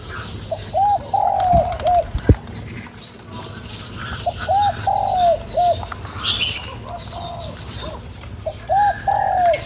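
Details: Spotted dove, cu gáy, cooing to provoke a lure bird. Three rhythmic phrases of hollow hoots, each a short note, a long drawn note and a short note, repeated about every four seconds. A couple of sharp knocks near the start.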